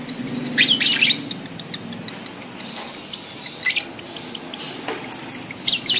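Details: Breeding-condition lovebird mating call: loud, harsh, high screechy bursts in a pair at the start, scattered sharp squeaks through the middle, and more shrill chatter toward the end.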